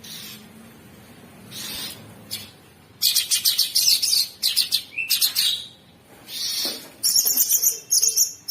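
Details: Sooty-headed bulbul song used as masteran training audio for songbirds, in a rough, nonstop singing style: high, buzzy bursts of rapid chirps, dense fast trills from three seconds on, and a sharp descending note near six and a half seconds.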